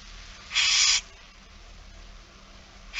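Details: Single harsh, hissing screech of a barn owl begging at feeding time, It Fryske Gea, September 2019, lasting about half a second against quiet background, another starting at the end.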